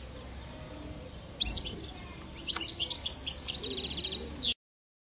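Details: A caged five-year-old European goldfinch (parva) in mating season delivers a building run of high twittering notes, ending in a bright, fast buzzy trill before cutting to silence.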